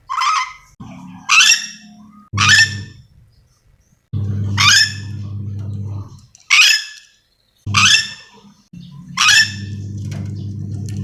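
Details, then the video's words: Nuri dora, a yellow-and-green lorikeet endemic to Sulawesi, giving a string of about eight loud, grating squawks at irregular intervals, with a low droning hum between some of them. "Suara asli nuri dora memanggil"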